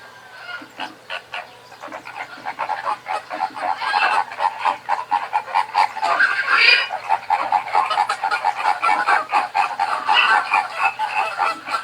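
A flock of flamingos gives a dense chorus of nasal, goose-like honks and grunts.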